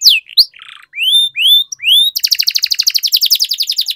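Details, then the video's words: Canary song used for singing training: a series of rising whistled slurs and a short buzzy note, then a fast even trill of rapidly repeated sharp notes rolling on steadily. "Canary Singing Training, Kenari Gacor Ngerol Panjang,Pancingan Kenari Macet"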